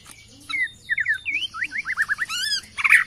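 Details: Bornean white-rumped shama answering a lure recording with a fast series of short falling whistled notes, ending in harsh harmonic chatter, over a low background hum.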